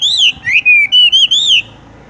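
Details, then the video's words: Brief burst from a Horsfield's bush lark, 'tung roll' style: five or six loud, clear whistled notes, wavering and sliding, run together in under two seconds. "wambie tung roll gantung langsung ngerol"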